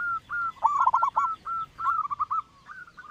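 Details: Local zebra dove with a loud voice, kept as a lure: steady flat coos broken by a quick stuttering trill, then more clipped coos repeated at a brisk pace.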